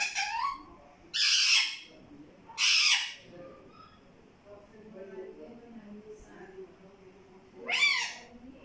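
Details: Talking parrot saying "mittu" in loud, raspy, speech-like syllables. Three bursts come close together, a quieter pause follows, then one more rising burst near the end.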